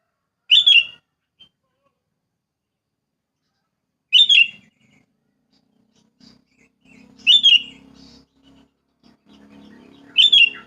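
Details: Sooty-headed bulbul in rural wild surroundings. Four short, loud, bright bursts are spaced roughly three seconds apart. A low, soft murmuring background grows in the later part.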